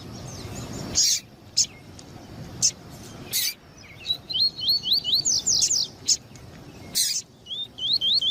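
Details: Male Double-collared seedeater song plus female calls to excite males: scattered single chirps, then a quick series of looping whistles and harsh notes, more chirps, and a final whistled run.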